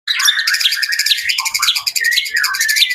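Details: White-rumped shama from Jakarta in continuous rich song: rapid whistled phrases, chattering trills and high sharp notes tumbling over one another without pause, with a faint low hum beneath.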